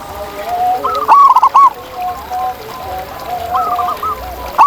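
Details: Local zebra doves in the wild, several birds overlapping: short rapid cooing phrases of clipped, looping notes near one pitch, loudest in a brief burst after the first second, with softer distant coos throughout.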